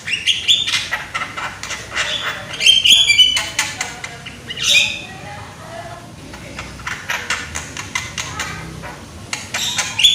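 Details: Javan myna, a young bird with a strong voice, sung as a lure for other mynas: scattered harsh chips and squeaky whistles in irregular bursts, with brief pauses between phrases.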